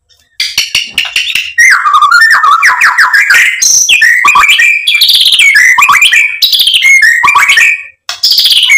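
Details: White-rumped shama song meant to provoke another bird into replying and showing off its repertoire; a dense, continuous outpouring of fast sliding whistles, chirps and rasping notes with almost no pauses.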